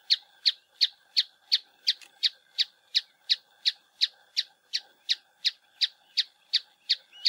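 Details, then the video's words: Rock Tapaculo (Scytalopus petrophilus) in Santa Bárbara, Minas Gerais, giving a long, steady series of sharp, high chipping notes, almost three per second, evenly spaced and unchanging in pitch. "Tapaculo Serrano (Scytalopus petrophilus)"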